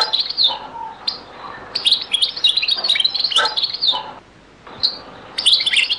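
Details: Old recording of a European goldfinch in the Beni Messous 'les avocats' (zaboka) song style: bursts of bright twittering and liquid trills separated by short silent gaps.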